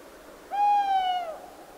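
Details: Long-eared owl calling in a forest: a single steady, clear hoot with a faint, fading tail, lasting under a second, over a quiet background.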